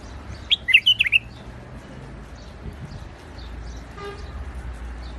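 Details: Iraqi bulbul, a white-eared bulbul in rooftop gardens, delivers a brisk cluster of five or six bright chirping whistles early on. Faint background hum follows, with a brief horn-like toot near the end.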